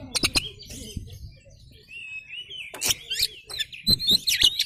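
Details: Oriental magpie-robin lure song, the bird singing hard with tail open to provoke others: sharp clicks and harsh bursts around a thin drawn-out whistle, then quick chattering notes and a bright twisted whistle near the end.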